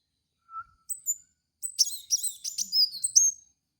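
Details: Caged kolibri wulung (kolibri kaca) song used as a lure for training cage birds: a faint mid-pitched note, then a busy burst of high, thin chirps and twittering slurred notes lasting about two seconds.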